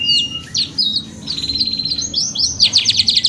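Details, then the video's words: Canary in full song, used as therapy to encourage singing: high whistled notes, a steady rattling trill, then rapid looping upswept phrases, bright and continuous over a soft low hum. "TERAPI KENARI 2 IN 1 GACOR PANJANG | CANARY SINGING"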